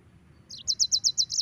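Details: Brief burst of yellow-fronted canary song: one falling slurred note followed by a steady train of six bright, high chirps repeated evenly several times per second, over faint low hum.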